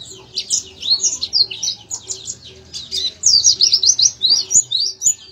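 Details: Oriental white-eye in lively full song: a fast, continuous run of high, thin, twittering notes sweeping up and down, bursting densely in the second half, with a faint steady low hum underneath.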